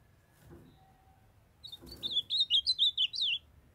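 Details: A female ultramarine grosbeak calls to excite a kept young male, who answers with a fast, evenly spaced burst of about eight clear warbling notes after a couple of muffled bumps.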